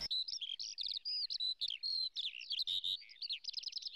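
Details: A Eurasian skylark over flowering fields pours out a fast, unbroken stream of high twittering, trilled and whistled notes, rapidly changing and slurred, with no pauses.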